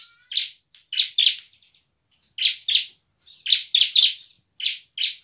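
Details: Bar-winged prinia (ciblek) in constant 'gacor' song with emotional 'ngebren' and 'nembak' styles, used as a lure to rouse lazy prinias to sing and fight: sharp, buzzy chirps, often paired, in irregular bursts with short pauses.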